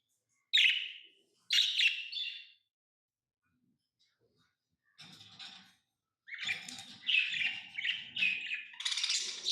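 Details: Pet lovebirds give two sharp chirps, fall silent for a few seconds, then return with a fast series of high, scratchy chirps.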